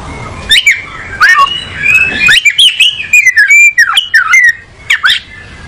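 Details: Oriental magpie-robin (kacer), a songbird, singing clear whistled phrases: short sliding notes and rising and falling sweeps, broken by sharp rasping bursts, in quick varied sequence with brief pauses.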